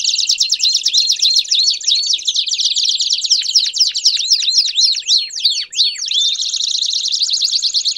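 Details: Belgian canary in full, bursting song: a dense, high buzzing trill interrupted by fast sweeping whistled notes, then returning to a steady rolling trill.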